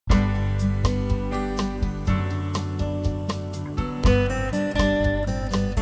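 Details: Strummed acoustic guitar music plays throughout, with no animal sound present.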